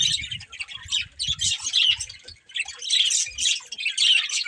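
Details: Budgies in a family group chirping and squawking: bursts of harsh, scratchy high chatter in uneven clusters, separated by short pauses, with soft low bumping sounds beneath.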